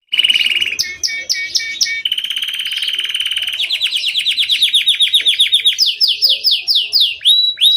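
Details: Domestic canary singing a loud, high song built from rapid trills: a steady buzzy roll, then a run of fast rising notes, then quicker sweeping chirps, each phrase repeated several times a second with no pause.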